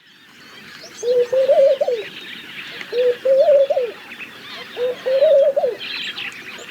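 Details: Laughing dove giving three soft bubbling coo phrases, each about a second long, starting on a low note, then rising and wavering before dropping away, spaced roughly two seconds apart; faint high chirps of other birds behind.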